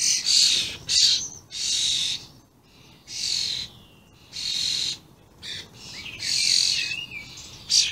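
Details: Common starlings, very vocal young and adults, May 2016: loud buzzy rasps in spaced bursts, with a few thin whistles and short warbled notes between them.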